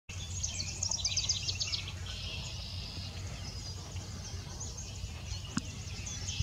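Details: Ovenbird at Long Point, Ontario, Canada, 9 May 2018, gives a quick run of high, sharp repeated notes over two seconds, then fainter, against a steady low rumble.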